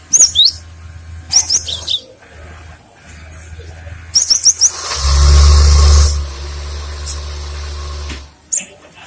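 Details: Cinereous tit song meant for luring and tutoring other birds: clusters of high, sharp whistled chirps in short runs, interrupted by a loud hissing burst of noise, with a low background hum.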